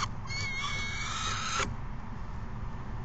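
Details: Peregrine falcon chicks screeching at an adult on May 29, 2022 around 12:17 PM. One drawn-out, harsh, harmonic-rich screech lasts about one and a half seconds over a steady low background hum.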